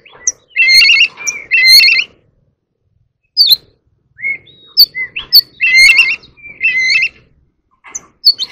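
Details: Oriental magpie-robin singing competitively, repeating rich warbled phrases of several stacked whistles that recur about every second, separated by single clear up- and down-slurred whistles and brief pauses.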